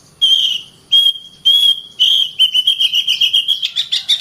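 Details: Kacer (Oriental magpie-robin) in rapid, continuous song: three long, clear, level whistles, then a fast string of short notes that rises into a harsh, buzzy chatter.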